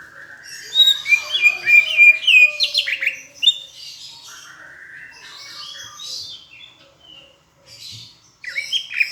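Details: Tutor song of a greater green leafbird from Palembang with Asian brown flycatcher imitation: dense, fast chattering twitters and slurred whistles, then a quieter stretch before more sharp chips.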